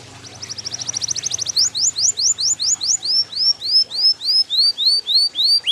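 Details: A yellow canary sings a rapid chattering trill that builds in volume, then switches to evenly spaced bright upswept whistles, delivered several per second through to the end.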